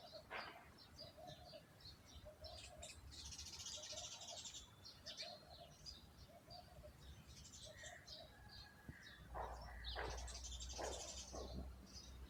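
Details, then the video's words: Garden birds chirping amid plants and trees: short repeated mid-pitched notes about twice a second, high buzzy twittering bursts above, and louder sharp chirps near the end, with a low continuous hum underneath. "Plants,,,, Trees and chirping sound of 🐦 Bird's."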